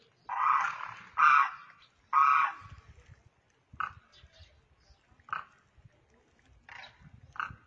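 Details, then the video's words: Demoiselle crane (koonj, karkara), one bird on the ground calling to others flying overhead: three long, hoarse, rolling calls in the first two and a half seconds, then shorter clipped calls roughly every one and a half seconds over a low background rumble. "Demoiselle crane sound | Bird Call/Voice"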